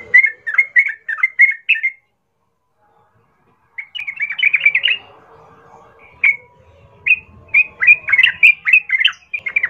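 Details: Energetic Sooty-headed bulbul song used as a fighting lure; bouncy, slurred whistled notes in quick runs, a pause of about two seconds, then more rapid chattering phrases.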